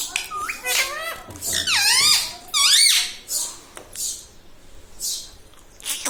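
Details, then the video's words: Talking parrot kept as a pet, its words said to include mummy, papa and radhe radhe; shrill, bending voiced phrases sweep down then up across a couple of seconds, followed by hissy bursts in a small room. "Talking mummy papa|| mummy vala parrot || mithu bolo radhe radhe"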